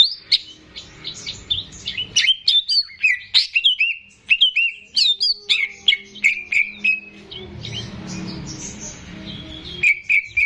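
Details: Greater green leafbird, a caged bird kept as a song tutor for young birds, singing a fast series of chirps and slurred whistles roughly three per second, with faint low background noise in places.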